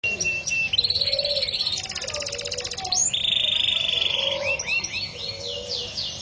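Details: Male Yorkshire canary cross (Yorkshire x BB), a ringed cage bird, sings a fast, continuous song of high buzzy rolls, rapid trills and long sustained whistled notes, changing phrases every second or so, over a steady low background hum.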